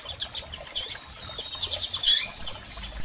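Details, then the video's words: Female and male double-collared seedeaters calling, meant to stimulate a male bird: a rapid run of thin high chirps and short twittering notes, closely bunched, ending with a louder sharp note. "PIADOS de Coleiros Fêmeas e Machos Para Foguear Seu Coleiro!!!"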